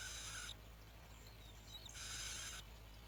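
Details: Bar-winged prinia chicks at the nest, being fed locusts by both parents: two broad, raspy hissing bursts, the first cut off at the start, separated by a quieter gap with faint thin high notes.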